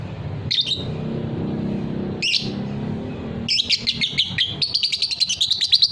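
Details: Fighter lovebird in ngekek style: two separate high chirps, then a long trill of fast repeated pulses running unbroken for about two and a half seconds, steady in pitch and growing louder; low rumble beneath.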